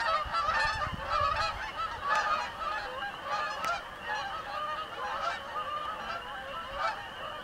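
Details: A flock of Canada geese passing over a house gives a steady chorus of overlapping nasal honks, roughly one a second, with no other sounds.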